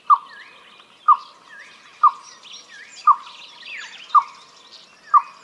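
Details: Green Barbet male song: a low, hollow 'kow' like a dog's bark, repeated about once a second, somewhat resembling the Freckled Nightjar's call. Other birds chatter and whistle faintly behind.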